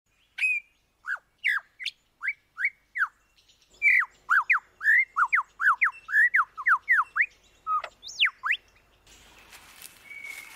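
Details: Lyrebird performing mimicry: a fast run of clear whistled notes, each a sharp sweep up or down around the middle pitch range, about two per second, with a brief louder rising-falling phrase near the end and a faint hiss after.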